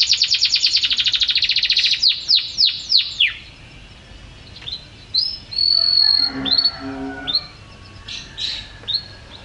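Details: Canary song in a prized champion-style performance: a rapid buzzy trill of descending sweeps, then a pause, bright whistled notes around the upper range, a short low warble and scattered sharp chirps.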